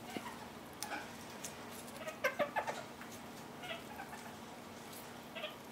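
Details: Kakariki, two birds anting, preening their plumage with pine cone resin and Roman chamomile: a quick burst of four or five short, harsh chattering notes near the middle, set among soft rustling and scratching of feathers and plant material.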